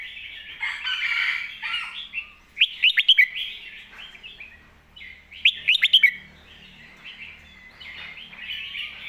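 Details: Red-whiskered bulbul performing a master song: continuous scratchy warbling broken by two loud, quick phrases of five bubbling whistled notes, about three seconds apart.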